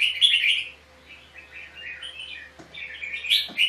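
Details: Red-whiskered bulbul in a dueling song from a trapping session, recorded as decoy sound: continuous rambling chatter of bubbly warbled notes with occasional sharp high accents, rising and falling in loudness.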